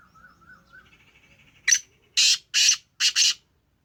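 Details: Black Francolin of the Sindhi Gangas lineage calling: soft low notes first, then a sharp harsh note followed by two grating bursts and a rapid double burst, against a still background.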